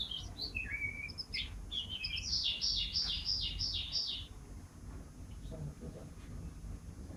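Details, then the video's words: Canary song as a tutor for home birds, quieter and set against background noise: mixed whistles and a short run of repeated high notes, then near silence with faint low sounds. "Suara KENARI Juara Gacor terbaru || Jitu untuk Masteran dan Pancingan kicau dirumah"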